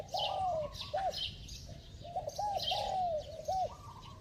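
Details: Spotted dove in a bell-voiced cooing bout used to rouse wild-caught doves: a long sliding coo, then short rounded notes, with the phrase repeated about every two seconds against a shrill background hiss.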